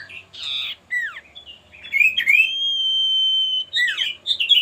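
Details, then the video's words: Male common iora song used as a lure to provoke rivals into singing: a few buzzy, chattering notes, then a long, steady, pure whistle held for over a second, followed by quick twittering phrases. "pancingan burung sirtu/cipoh gacor jantan bikin lawan ikutan gacor"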